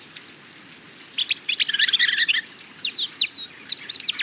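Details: European robin song, a fast tumbling mix of high thin notes, short trills and sliding whistles in bursts, over faint low background hiss.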